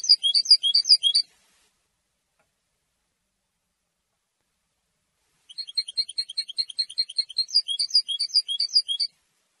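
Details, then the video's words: European goldfinch song for territory and courtship, a short burst of fast, high twittering, a silence of about four seconds, then a longer rapid chirping phrase. "How to develop a distinctive vocal personality for your goldfinch"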